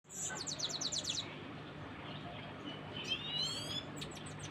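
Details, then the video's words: A new, young pet Himalayan goldfinch, trying to sing, gives a quick run of thin, high chips, then a rambling, tinkling twitter over a steady low hum. "My new baby Himalayan Saira trying to singing"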